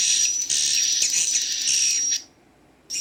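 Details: Swiftlet chick calls played back, possibly mixed with adult swiftlet sounds: dense, high buzzy chirps with a thin steady whistle running through for about two seconds, then a pause before the chirping resumes.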